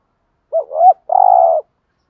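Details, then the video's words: Spotted dove lure coo in 'thúc gù' style to goad wild birds into cooing: a quavering rising phrase followed, after a short gap, by a long flat buzzy coo. "tiếng cu gáy THÚC GÙ bài bản/ chim cu gáy giọng bài bản giúp bổi ức chế và gáy theo"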